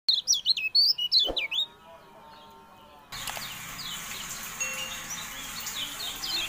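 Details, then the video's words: Javan white-eye song from a training recording for caged birds: a fast burst of high, sharp, up-and-down chirps for about one and a half seconds, then a sudden switch to a hissing background with faint distant chirps. "MASTERAN TERBARU KECIAL KUNING, FULL AUDIO"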